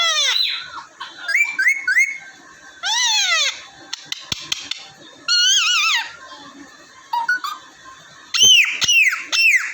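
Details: Indoor pet parrots from Vehari, Punjab, Pakistan, two raw parrots plus a normal one, vocalising loudly: long harsh harmonic screeches alternating with wavering, bending whistled phrases, several sharp clicks in the middle.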